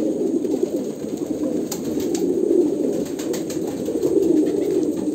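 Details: Kolkata pigeons cooing together in a steady, dense low murmur, overlapping throaty coos with no gaps, a few faint clicks and knocks above.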